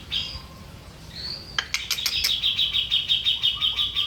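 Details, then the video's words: Grey-cheeked bulbul on a master and lure recording for training birds: a thin rising whistle, then a few sharp clicks, then a quick, evenly pulsed high chatter running on to the end. "Burung Cucak Jenggot. Masteran dan Pancingan"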